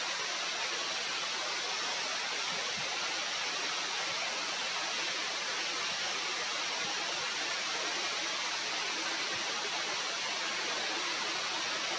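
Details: Steady broadband rushing noise like falling water or a stream fills the whole clip, with no animal calls standing out.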